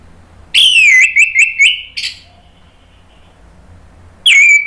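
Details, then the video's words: Orange-headed thrush song meant to prompt other thrushes into full song. A bright phrase of four quick, bouncing whistled notes settling into a drawn-out tone, a pause, then a single falling whistle. "SUARA ANIS MERAH bikin EMOSI jadi NYAUT NGEPLONG ¦ PANCINGAN AM ¦ TERAPI MACET"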